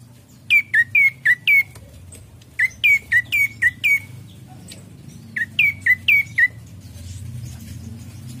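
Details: Lure song of an Ashy prinia: three quick groups of four or five sharp, downslurred chirps separated by short pauses, then fading into soft background hiss.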